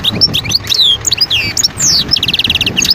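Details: Wild European goldfinch from Guerbaz, Skikda, Algeria, 2022: varied twittering with a few longer slurred whistles, ending in a fast, buzzy series of evenly repeated notes.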